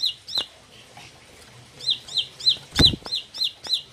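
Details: High, sharp chirping from a four-month-old bar-winged prinia described as becoming a fighter. About eight quick downslurred notes come at an uneven pace, with a brief gap early on and one loud thump near the end.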